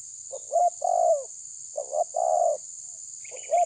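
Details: Terkukur tabir spotted dove challenging a rival with repeated low coo phrases. Each has a clipped double note and a drawn-out descending coo, with a faint chirp from another bird near the end and constant hiss.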